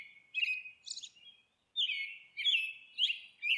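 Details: Monk parakeet calling while nesting, rough squawking notes in uneven bursts broken by a short silence, then a run of loud, grating chatter about twice per second.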